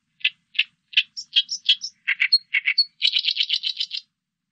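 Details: Oriental reed warbler in a 2020 Korean national biological resources recording: loud, croaking notes in a steady series, high squeaky inserts, doubled grating syllables, then a fast, even rattle of harsh notes.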